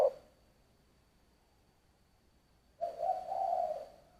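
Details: Spotted dove singing giọng thổ coos: after a long quiet stretch with faint hiss and a steady high whine, a single drawn-out, wavering mid-pitched coo rises in loudness.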